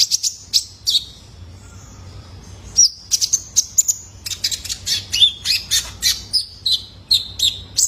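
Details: Juvenile male purple-throated sunbird, recorded as a lure for captive birds: a run of rapid high twittering chirps that speeds into a dense chattering series with short trilled notes.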